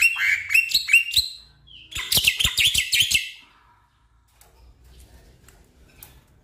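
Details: Black-winged myna song played to prompt a stressed caged bird that will not sing: bursts of harsh, scratchy high chirps and clicks, then a dense rapid chattering run, fading to near silence after about three seconds.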